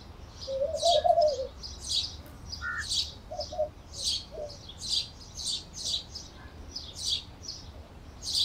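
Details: Canary chirping: short, sharp high notes repeated about twice a second in an uneven stream, with a few lower whistled notes slipped in between.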